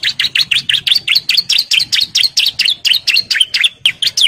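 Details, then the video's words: Breeding-condition male bar-winged prinia calling females, singing a continuous fast series of sharp, sweeping chirps at around five notes per second, evenly spaced and loud throughout. "CIBLEK JANTAN BIRAHI GACOR NGEBREN MANGGIL BETINA KOLONI"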